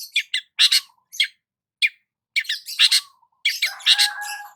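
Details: Long-tailed shrike sunbathing in the morning, giving a varied series of short chirpy and squawky notes in irregular bursts, some sharp and high, ending in a denser jumble of notes with a faint low whistle beneath.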